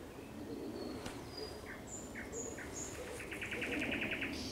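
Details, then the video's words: Evening song of a thrush nightingale, 30 May 2021 at sunset: thin whistles and short dropping chirps, then a fast, regular rattle of about ten clicking pulses. "Śpiew słowika szarego przy zachodzie Słońca"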